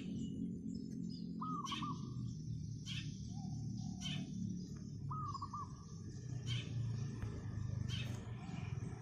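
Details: Wild zebra dove on roof tiles in the morning, singing energetically: two rolling, stuttered coo phrases, mixed with short sharp chirps from other small birds and a low background hum.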